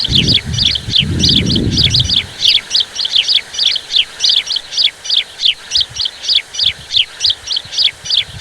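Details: A steady stream of high, sharp chirps, about two per second, from a huge migrating flock of common starlings in Chakwal, Pakistan; low wind rumble fills the first two seconds.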